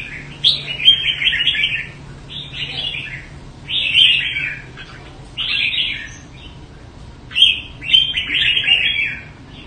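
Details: Red-whiskered bulbul of fine quality from the Đại Quang area of Quảng Nam, Vietnam, kept by a bird fancier, sings short bright warbled phrases in four bursts separated by brief pauses, with a faint low hum behind.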